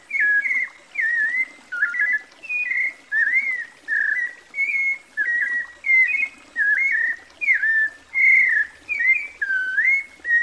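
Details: White-necked Thrush (Sabiá-coleira) singing a steady run of short whistled, warbled phrases, roughly one every 0.7 seconds, each slurring and wavering, with brief pauses between; faint higher notes of other birds behind.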